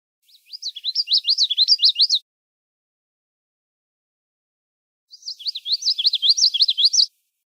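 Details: Common yellowthroat song, two bouts of rapidly repeated high rolling phrases whose notes rise and fall within each phrase at similar volume, a few seconds of silence between bouts.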